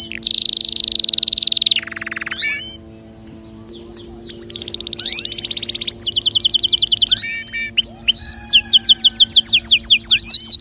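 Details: Singing canary heard as a way to prompt other birds into song: a loud buzzy trill, a brief quieter pause, then fast repeated notes and sweeping whistled phrases.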